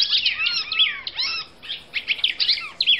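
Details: Short stretch of a Brazilian female red-crested cardinal's song: bright, rapid chirps interleaved with smooth, bowed whistles, broken by one brief pause midway.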